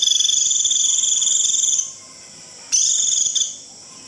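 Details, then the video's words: Flock-gathering 'rít' call of a white-eye: a nearly two-second high trilled buzz, a short silence, then a shorter repeat of the same note. "Tiếng chim vành khuyên rít √ siêu gọi bầy cực kỳ nhậy gọi là về"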